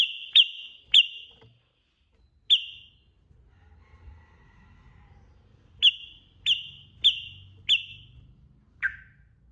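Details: Yellow-vented bulbul, trucukan, in the lively 'ropel gacor' style used to prompt birds to sing along: sharp, high, clipped whistled notes, several spaced irregularly, then a lower, falling final note, with faint low rumble between.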